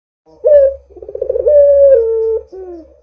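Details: Barbary dove in full voice, used as a lure to get other doves calling: a short rising coo, then a rolling, throbbing phrase running into a long, level, slightly falling drawn-out coo, ending with a softer low note.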